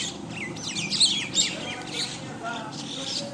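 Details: Common mynas feed together in the morning in Bangladesh. Quick chirps and squeaky, slurred notes overlap in a busy chorus, with a few louder sharp notes near the middle and human speech faintly behind.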